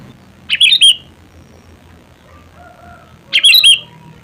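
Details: Natural voice of a sooty-headed bulbul: two short bubbly phrases of three fluty, rolling notes, about three seconds apart, with quiet background between.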